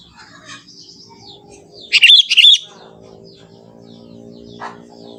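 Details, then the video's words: Young forest Sooty-headed bulbul in lively natural song without mimicry: one short burst of two quick gurgling note groups, set against soft background twittering and a low steady hum. "suara kutilang muda hutan gacor suara asli tanpa isian"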